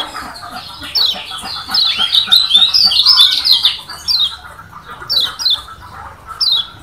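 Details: Lombok yellow white-eye (kecial kuning) from Lombok singing a varied song said to agitate rivals: high, slurred descending whistles that merge into a dense rapid twittering run, then separate downslurred notes spaced through the rest.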